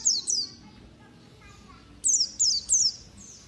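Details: A competition-prospect white-eye gives thin, high, downslurred chirps: a quick pair, a pause, then three more, with a faint low hum behind.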